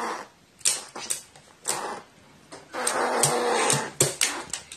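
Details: Very affectionate crow turning furious when stroked the wrong way, recorded 14 April 2018 indoors; sharp clicks and taps, then a long harsh rasping outburst of about a second, followed by further clicks.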